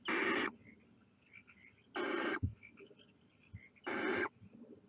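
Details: Barn owl chicks sticking their heads out of the nest give three harsh, noisy hissing screeches, each about half a second long and spaced roughly two seconds apart, with faint soft knocks between them.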